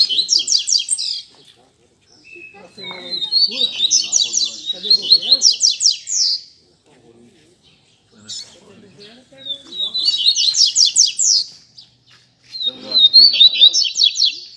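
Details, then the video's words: Caged double-collared seedeaters sing at a friends' Sunday-morning meet-up in repeated bursts of high, rapid, buzzy trills, four phrases separated by short silences, with faint voices in the gaps. "Barderna de Coleiro Entre Amigos!!!"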